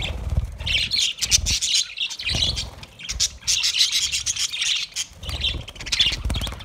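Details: Budgerigars giving a dense, busy chatter of scratchy warbles and chirps that overlap almost without pause, with low thumps and rustling underneath.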